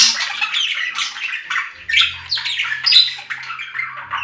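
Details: Budgerigar gives continuous rasping, scratchy chatter in rapid warbled phrases, with a faint low hum beneath.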